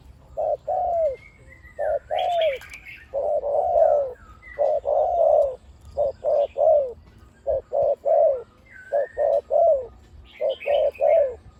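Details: Caged decoy spotted dove with a big voice, cooing 'khu ang' almost throughout. A long run of low hollow coos, mostly in pairs or triplets, each phrase ending in a falling slurred note. Faint thin whistles of other birds sound behind.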